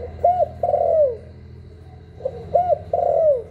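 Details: Spotted dove giving two 'hạp bổi' style coo phrases, recorded live to spur newly kept doves. Each phrase is a brief note, a smooth arched coo, then a drawn-out wavering coo that drops in pitch. A pause separates the phrases.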